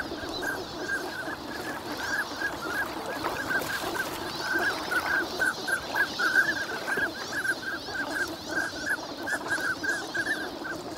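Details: A large flock of migrant ducks wintering at Lake Inawashiro, Nagahama, active in the morning in fine weather; a dense, continuous chatter of brief mid-pitched calls from many birds, with soft rustling noise throughout.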